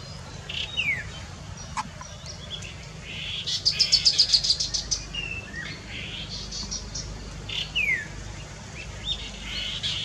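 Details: Chestnut-capped babbler: a falling whistle, then a rapid rattling run of about ten high notes, then another falling whistle, with soft chirps and an insect-like hiss behind.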